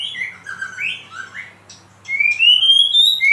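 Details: A White-rumped shama (Copsychus malabaricus) in full, active song gives clear, fluty whistles that slur up and down, then a long bright note that climbs steadily in pitch.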